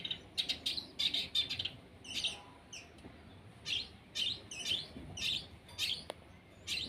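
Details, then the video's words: Captive long-tailed shrike set out in the sun, singing in the kicaumania style called sembur pastol: short, high, scratchy chirping bursts, some dense and buzzy, coming in quick irregular clusters over a soft background hiss. "JEMUR CENDET SEMBUR PASTOL"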